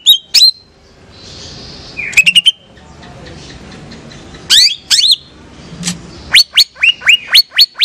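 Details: Pet female greater green leafbird from Banyuwangi singing in captivity: scattered sharp, upslurred whistles and clipped notes separated by pauses, ending in a steady run of rising notes. Faint room noise sits underneath.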